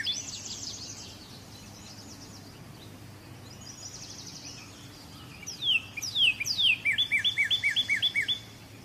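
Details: Northern cardinal: faint high chatter at first, then loud, clear whistles slurring steeply downward, about four in a row, followed by a quick run of shorter repeated notes, all over a steady background hiss.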